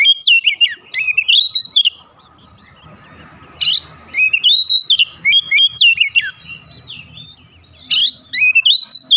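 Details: Agitated Oriental magpie-robin (kacer) belting out its isian: phrases of loud, ringing whistles and sharp chirps, a pause with faint hiss, then more vigorous bursts of twisting notes.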